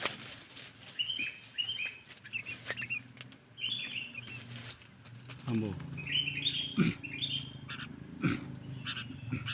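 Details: Sooty-headed bulbul cengkeram lure call for attracting wild birds: a series of short whistled, slurred notes, with rustling, thumps and wing-flapping noise around them.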